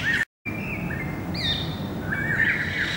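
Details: Greater racket-tailed drongo from 7 February 2018 giving long, level whistled notes and a bright falling whistle, then a quick scratchy chatter, with a short break near the start.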